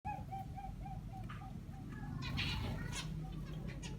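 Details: Zebra finches in an aviary, given grass as nesting material, give short, nasal beeping calls in quick succession over a steady low rumble.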